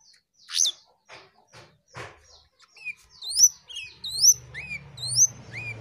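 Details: Jongkangan giving soft scratchy notes, then a run of clear, high upslurred whistles repeated roughly once a second, over a faint low hum.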